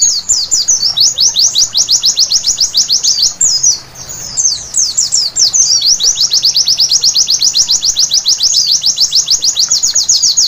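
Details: Long passage of white-eye song at night, used to get birds singing: a tangled high twitter, a short pause, then a steady, rapid series of thin downslurred chirps that keeps going to the end.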